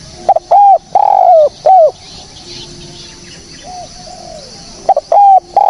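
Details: Spotted dove cooing, clean recording meant for luring birds. Repeated phrases of short hoots and longer falling coos, loud and close, with soft background bird notes between phrases.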